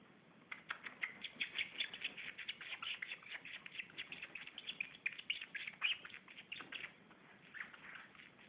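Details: White-bellied seedeater, locally patativa chorão, singing a fast, unbroken run of high twittering and trilled notes. The dense, even phrases continue for about eight seconds over a quiet background.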